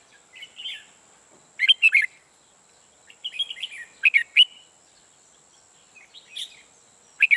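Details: Caged red-whiskered bulbul used as a trapping decoy sings the ché song: repeated loud bursts of quick, slurred whistles and chattering notes separated by short pauses, with softer warbles between them and a steady thin electronic whine behind.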